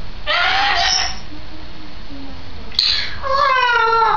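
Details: Pet grey parrot, a two-year-old female, recorded 16 May 2010, gives a loud drawn-out harmonic wail, falls quiet, then gives a second wavering, crying call that slides gently downward. A low background hum runs throughout.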